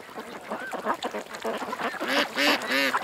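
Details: Ducks at a creek call with drawn-out, arching quacks that rise and fall. Later calls turn louder and harsher, with broad raspy bursts near the end.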